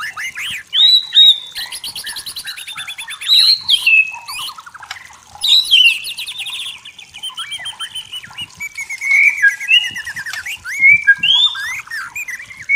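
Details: White-rumped shama in forest giving varied song: bright whistled notes, rising and falling slurs and rapid chattering trills in bursts separated by quieter gaps, with softer chirps between phrases.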